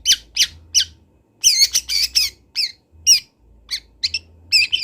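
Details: Long-tailed shrike of local Kendal stock, recorded to teach young birds, gives loud harsh squawking notes with sharp downward-bending whistles, grouped in quick clusters separated by brief pauses; faint low hum behind.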